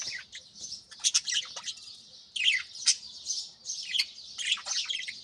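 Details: Pet budgerigars in early morning, a flock chattering in bursts of rapid scratchy warbling and sharp chirps, loud phrases every half second or so with softer chatter between.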